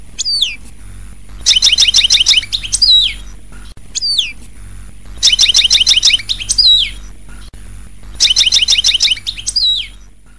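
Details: European goldfinch repeating a phrase about every three seconds: a descending thin whistle followed by a dense, tinkling cluster of rapid twittering notes, with a low background hum throughout.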